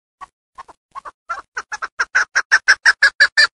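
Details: Chukar hen kept for hunting, Darvoz district, Tajikistan: a few faint, scattered clucks quickly accelerating and growing louder into a rapid, rhythmic chain of hoarse chuk notes.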